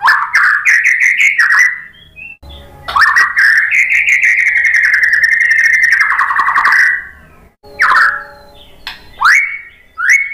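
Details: White-rumped shama (murai batu) song used as bait for other birds to answer: a long, fluid, warbling trill held for several seconds, followed by sharp, separate upslurred whistles.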